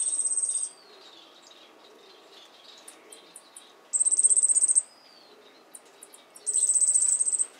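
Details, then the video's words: Yellow-faced grassquit singing while opening its wings: very high, thin, buzzy trills lasting under a second, repeated three times about three seconds apart. Faint scattered chirps fill the gaps between them. "Tomeguin de la tierra cantando y abriendo ala"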